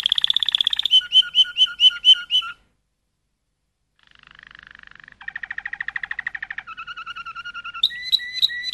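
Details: Malinois canary performing a run of rapid whistled notes, a silent gap, then soft and louder rolling trills, finishing with sharp repeated high notes.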